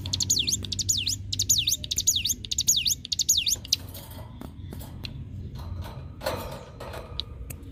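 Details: Hill prinia song used as masteran for other cage birds: six high swooping whistles with clicks over three and a half seconds, then fainter ticks and scattered noise.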